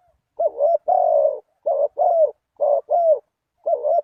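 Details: Spotted dove coos played to lure wild doves into a trap, paired phrases of a quick double coo and a longer falling coo, repeated three or four times in quick succession, with no background noise.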